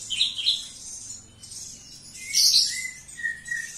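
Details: Javan bush lark singing very actively indoors: high chirped notes, then a bright burst and a few thin whistles near the end, over a quiet room.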